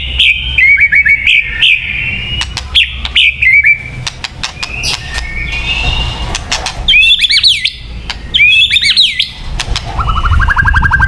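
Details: Song of a white-rumped shama, used to lure birds: repeated whistled slurs, sharp clicks, and bursts of rich warbled phrases, closing with a buzzy trill.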